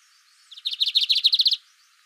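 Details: Lined seedeater giving a short song: a quick series of around ten bright, clipped notes at steady pitch and rhythm, delivered in about one second against a quiet background.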